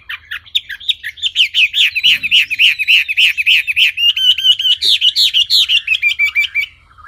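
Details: Wambi singing a long, rapid series of bright wavering whistled notes, about four per second, rolling up and down in steady pulses, then ending in higher sliding trills; a brief low thump is heard once.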